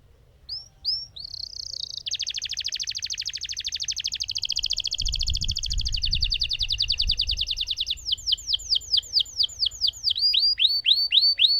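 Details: Lemon canary performing a long roll: an extended very rapid, even buzzing trill lasting about six seconds, then a series of sharp down-swept notes; faint low rumble in the background.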